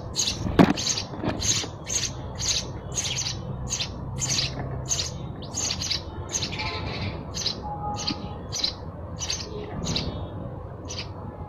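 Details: Sparrow chirping: a long, continuous series of short, high, slightly harsh chirps repeated about every half second, with a sharp tap near the beginning and low rumble behind.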